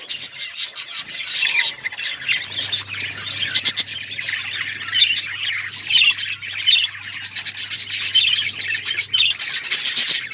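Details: A group of budgies keeps up busy chirping, with rapid scratchy twitters, clicks and sharp squeaky notes tumbling over one another in bursts, and a soft low hum running through the middle.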